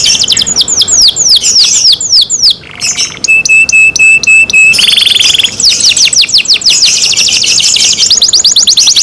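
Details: Captive canary in full song: quick series of high falling whistles, a steady pulsed trill on one low-pitched note, then a buzzy rattling phrase and further rapid descending notes.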